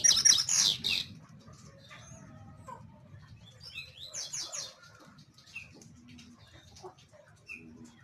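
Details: Double-collared seedeater (Sporophila caerulescens), song.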